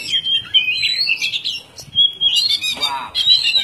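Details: Oriental magpie-robin (kacer) in energetic 'gacor' song, loud varied whistles, slurred rising and falling notes and chattering trills delivered continuously, with brief pauses between phrases.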